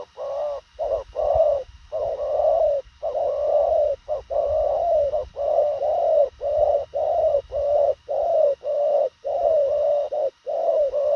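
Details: Spotted dove of thổ khàng type in a long, loud, unbroken series of quick coos, each note hollow and even, separated by brief gaps, running on for over ten seconds with little background sound.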